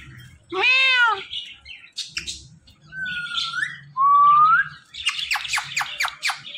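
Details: Indian ringneck parrot kept as a pet, mixing talk and calls: a loud harmonic mimicked word, short scratchy notes, two clear whistles sliding upward, then a rapid series of harsh clicking squawks, with a low hum underneath.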